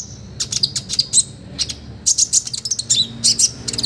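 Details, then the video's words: Olive-backed sunbird singing hard in a training tutor recording for other birds: dense bursts of very high, sharp, slightly buzzy chirps in quick clusters, with brief gaps between bursts. "MASTERAN KONIN GACOR FULL ISIAN MEWAH KOMPLIT BUAT TERAPI BURUNG LAIN"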